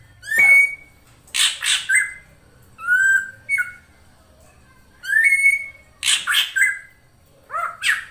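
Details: Female drongo calling to lure a male, used as a lure call: clear whistled notes near the upper-middle range mixed with harsh, broadband squawky bursts, in phrases separated by short pauses.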